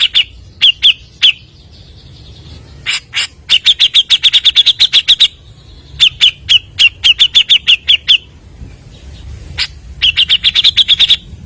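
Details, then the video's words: Grey-cheeked bulbul, recorded for use as a lure, singing nonstop at high speed: bursts of rapid, harsh, clicking notes with brief tonal chirps, delivered in quick runs of about ten notes separated by short pauses. "PANCINGAN BURUNG CUCAK JENGGOT GACOR FULL MBESET SPEED TANPA JEDA NEMBAK MEWAH"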